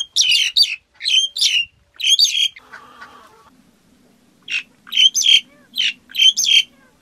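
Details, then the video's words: Black-collared starling giving grating, squawky notes in clusters, with a brief low rustling murmur in a gap before the harsh, chattering phrases resume. "Tiếng Cà Cưỡng hót"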